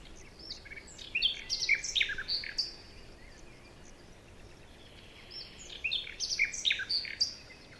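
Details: Forest birds chirping in the morning: two clusters of sharp, high, rapidly varied chirps and short whistles, a quieter pause between them, soft ambient hiss throughout.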